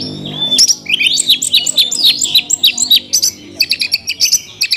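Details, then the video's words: Oriental magpie-robin in a cage delivering a dense, varied song of looping whistles, buzzy notes and clipped chips in fast succession. "kacer isian mewah"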